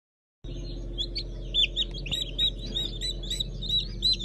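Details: Newly hatched Brahma, Fizan and Habeş chickens, 15 June 2019; a crowd of high, shrill peeps chirps continuously after a brief silence, over a steady low mechanical hum.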